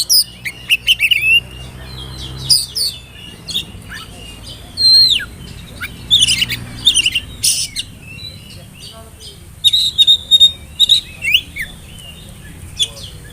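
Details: Spotted juvenile oriental magpie-robin whistling, meant to provoke rivals and prompt young birds to sing: bursts of sharp chirps and sweeping whistles, then repeated high whistled phrases after quieter gaps.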